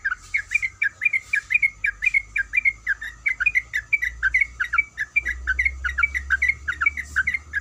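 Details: Yellow-vented bulbul, a female in breeding condition calling the male, chatters in a fast, steady chain of short slurred chirps about twice a second or more, with low rumble in the background.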